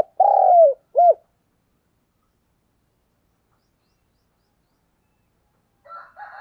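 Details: Decoy cooing from a spotted dove, meant to attract wild doves: a longer falling hoot, then a short clipped second note. After a long silence, a faint, rough coo follows.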